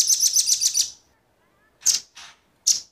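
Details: Male and female velvet-fronted nuthatch calling, a recording used to lure wild birds: a quick burst of high, thin chips lasting about a second, then silence, then three or four isolated sharp high chips.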